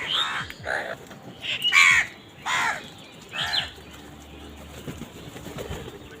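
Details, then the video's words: During a feeding scene, an agitated crow caws hoarsely several times at uneven intervals. The loud rasping notes carry with brief wing flutter and quieter chirps behind them. "Crow Crowing Sound Effect |Crow Bird Eating Scenes part 91| Sound of Angry Crows"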